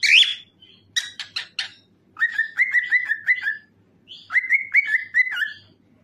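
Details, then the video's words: Cockatiel song played to get other cockatiels singing: a loud opening squawk, a burst of clipped chirps, then two runs of warbling whistled notes, each rising then wavering, repeated in quick succession. "This Will Make Your Cockatiel Sings"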